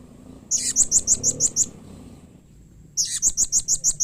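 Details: High, piercing chips repeated quickly in two series of about seven notes each, from a blue-crowned hanging parrot whose call makes other hanging parrots reply. A faint murmur sits underneath.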